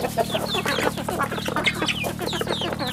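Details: A group of farm chicks cheeps rapidly: shrill, downward-sliding peeps come several times a second, backed by a continuous low droning hum.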